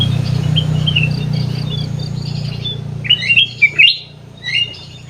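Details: Sooty-headed bulbul in an aviary: a strong low hum fills the first three seconds, then a short run of loud, clear, rising and falling whistled notes follows. Fainter chirps continue behind.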